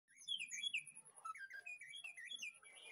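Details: White-rumped shama master song from a backyard aviary and breeding site in the afternoon at feeding time: varied sweet whistled notes, slurred up and down, delivered in a quick, fluid phrase, fairly quiet.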